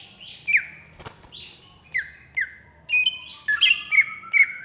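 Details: In agitated ngamuk mode, a captive contest-ready greater green leafbird of the Alas Purwo type in Jatiasih, Bekasi, gives spaced downslurred whistles about every half second, then layered sustained whistles and chattering notes.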